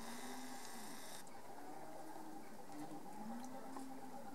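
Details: Great cormorants at a roost in the Marais d'Harchies, Belgium: low, drawn-out groaning tones rising and falling over a constant hiss of background noise.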